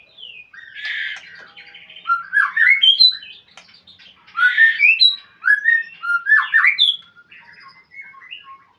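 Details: White-rumped shama, a cage bird, calling to a rival: bursts of harsh chatter mixed with loud, bright upslurred whistles, delivered in several separate phrases with quieter warbling between them.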